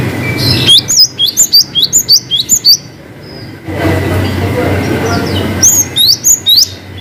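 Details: Singing cinereous tit, gacor style with long 'wucit' and 'ngalas' variations: a fast series of about ten high, paired whistled notes, a noisy gap, then a shorter repeat of the same pattern.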